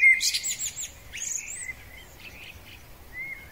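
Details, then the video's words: Spring song of a male common blackbird: a brief mellow whistle breaks into squeaky high twittering, then quieter scattered notes and a final soft whistle. "Kos samiec, piękny wiosenny śpiew."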